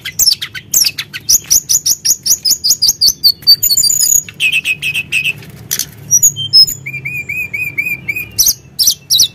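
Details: Sunda blue robin, provoked into singing: a loud, varied run of high chirps, rapid trills and whistled notes, with repeated falling whistles and a closing series of short upswept notes, continuous and energetic.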